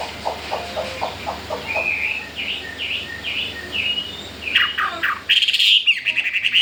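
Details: Chinese hwamei, newly brought home and keen to breed, unafraid of the other caged birds, sings soft repeated notes and then a series of whistled slurs. A loud burst of rapid chattering notes closes the phrase.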